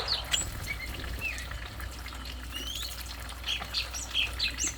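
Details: Stripe-throated bulbul song of brief sharp whistled notes and chirps, with sweeping rising phrases near the middle and a denser burst of bright notes toward the end, over a constant low hum.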